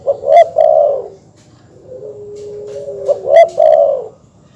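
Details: Terkukur or perkutut dove calling, used as a master recording to provoke rival birds; two bursts of low, rounded cooing with sharp clicks, separated by a long, even, softer tone.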